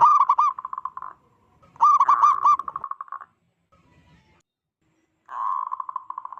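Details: Local zebra dove with a loud, big voice, a call said to provoke and panic other zebra doves: rapid bubbling coos in bursts, each trailing into a fast rolling trill, separated by short pauses.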